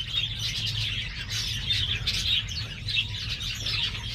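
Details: Young star finches newly fledged from the nest, pure-bred captive birds from a hobby breeding: continuous overlapping high-pitched tweets and short slurred chips from several birds, with a constant low hum beneath.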